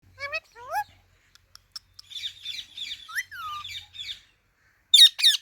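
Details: Indian ringneck parrot giving a few clear rising whistled notes, then a stretch of soft rapid twittering chatter with a slurred downward whistle, ending in two loud harsh shrieks.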